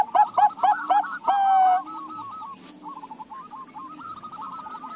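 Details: Zebra doves of Bangkok and local crossbred stock, several birds answering one another: a loud series of quick hooked coos, then a long drawn note, followed by softer trilled cooing from other doves in the background.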